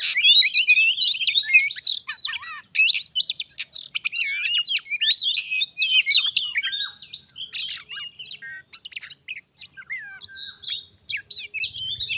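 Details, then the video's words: Oriental magpie-robins, one kept as a pet and one wild, contesting by song before fighting: a long nonstop torrent of quick whistled, chattering and squeaky notes, about three per second, tangled and irregular. "Kacer _adu suara sampai jadi bertarung/fight"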